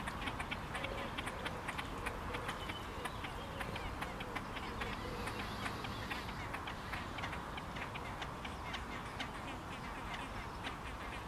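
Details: Great crested grebe, recorded 8 May 2022, giving harsh, clipped calls in quick, uneven runs over steady broadband background noise.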